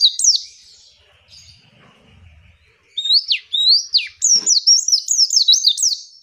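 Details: Female pleci, or white-eye, singing to goad a rival and stir lazy males to reply: a faint opening note, a quiet pause, then a run of quick high zigzag chirps that grows louder toward the end.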